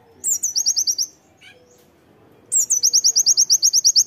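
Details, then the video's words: Training master song of an Oriental white-eye: a loud burst of quick, high rising notes, a pause with a soft short call, then a longer, more sustained run of the same rapid chirps. "KONIN GACOR ISIAN TEMBAKAN PLECI MEWAH"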